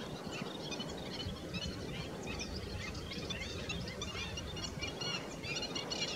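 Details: Black-winged stilt calling: many short, sharp, high yapping notes scattered throughout, some in quick runs, over a steady low rumbling background noise.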